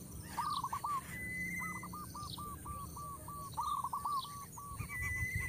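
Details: Coucal chicks at the nest, parent bringing food the young will not eat; an almost continuous chain of quavering notes repeated rapidly, with a clear level whistle now and then and soft chirps behind.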